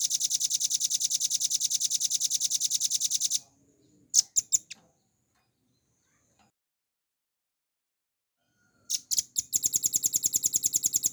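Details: Velvet-fronted nuthatch tutor recording for cage birds: a rapid high-pitched trill for three seconds, a few sharp chips, a long near-silent pause, then more chips and the fast trill resuming.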